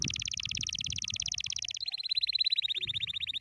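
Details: Cheerful canary song of continuous rapid trills: a quick, even, buzzy roll runs for nearly two seconds, then switches to a slightly different, faster high trill that carries on without a break.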